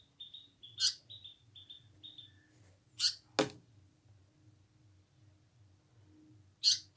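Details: Indian paradise flycatcher in a house, uttering harsh, buzzy single calls at roughly three-second intervals, mixed with faint high chirps, a sharp knock and steady low indoor hum.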